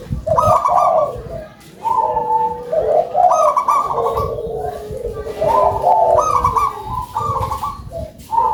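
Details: Local zebra dove singing actively and loudly, delivering about seven short bursts of rapid, chuckling coos with brief gaps, layered over softer, lower coos from behind.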